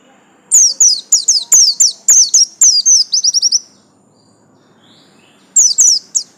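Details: Captive yellow-striped Bustomi white-eye pours out a rapid chain of high, sharp downslurred chirps ending in a fast trill, goes quiet for nearly two seconds, then adds a brief final phrase.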